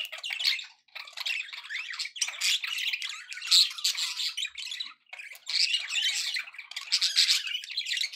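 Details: Happy budgerigars at home: long runs of scratchy, high-pitched warbling and squawks, broken by a couple of short silences.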